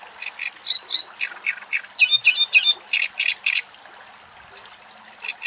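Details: In a wetland of vegetation and running water at Axios Delta National Park, Thessaloniki, Greece, a wood sandpiper gives clear, high whistled notes in quick pairs and triplets among harsh, chattering great reed warbler song phrases repeated several times a second.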